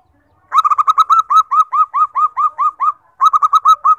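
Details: Common 14-tail-feather zebra dove, the most abundant type, met in forest and large bird collections, recommended for luring and tutoring birds. It gives a loud, fast run of clipped, curving coo notes that slows into evenly spaced hooked notes, pauses, then resumes rapidly.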